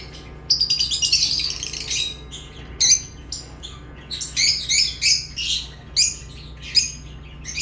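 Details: Piercing lovebird chirps start with a long squeaky run, then continue as separate sharp, shrill notes spaced irregularly, over a quiet low drone.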